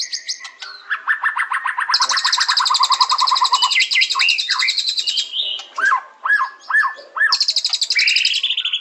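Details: Varied song of a white-rumped shama: a mid-pitched rapid trill, then a higher buzzing rattle, followed by a row of four clear down-slurred whistles and a final high trill.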